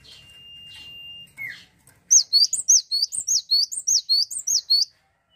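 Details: Cinereous tit song: a long steady whistle and a dropping note, then a quick run of a dozen bright, high, down-slurred notes.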